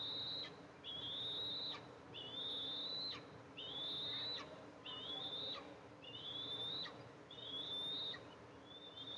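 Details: Mother Eastern imperial eagle arriving to feed two eaglets at a camera-monitored nest, July 14, 2024; a steady series of seven long, high, slightly rising whistles, each closed by a sharp downward flick, about every 1.3 seconds.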